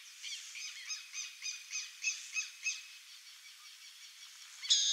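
Burrowing owl giving a quick series of about ten harsh, high chattering notes, three or four a second, then fading; one louder note at the end.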